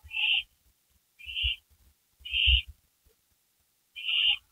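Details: Owls back on a porch just after midnight, 12:12 AM on May 3, 2012; four short harsh hissing screeches about a second apart, each under half a second, with soft low knocks and thumps between them.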